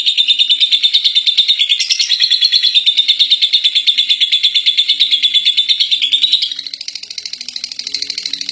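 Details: Lovebird, winner of a singing contest, delivering ngekek, a long chattering song: steady shrill rapid chatter for six seconds, then the notes shift slightly higher and quieter while the stream continues unbroken.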